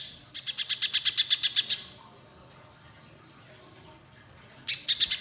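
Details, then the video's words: Spiderhunter in full song, used to prompt young birds to sing: a two-second volley of quick, sharp, high chips, a long quiet pause, then a few more notes starting again. "Pijantung Pisang Gacor Nembak Panjang"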